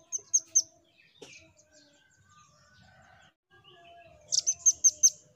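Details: Velvet-fronted nuthatch, locally rambatan, song used to prompt other birds: three high chirps, a pause with faint distant bird notes, then a fast burst of five sharp, piercing chirps.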